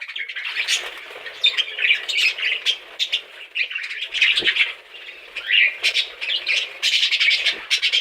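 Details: Chattering budgies give a busy mix of high twittering warbles, scratchy squawks and quick chirps that rise and fall in short bursts through the whole stretch, with a couple of faint low knocks.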